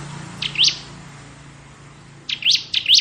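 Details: Bar-winged prinia, crystal ciblek, ngebren style: a pair of upswept chirps, a long pause over low hum, then three more rising notes.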